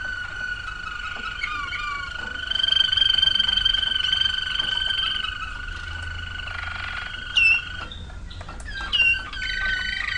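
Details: Waterslager canary from 2009 holding long steady whistled tones, with a brief sharp high note and a few short rising glides near the close.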